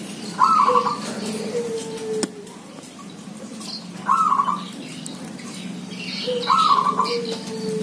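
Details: Busy zebra dove chorus in a village: a purring, trilled coo phrase repeats roughly every three seconds, three times, with soft sliding low whistles and scattered faint chirps behind.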